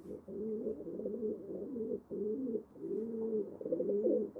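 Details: Low, burbling pigeon coos flowing in long, rolling phrases with brief breaks near two and a half seconds, soft and throaty against a quiet background.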